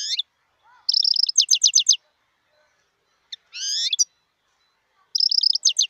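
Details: Short high twittering phrases from a wild European goldfinch: quick stuttered chirps, a rough scratchy note, then another chirping run after pauses; quiet background.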